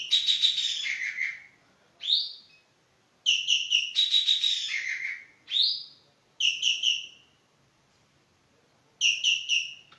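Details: Javan green magpie (Cissa thalassina) calling energetically in repeated bouts: buzzy rattles falling in pitch, separate rising slurred whistles, and groups of three or four short, sharp notes between pauses.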